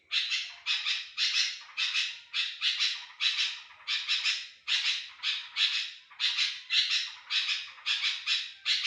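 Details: Sooty-headed bulbul used as a lure to attract other bulbuls: loud, harsh, rasping bursts repeated in quick succession, roughly two per second, each bright and noisy, with no other sounds heard.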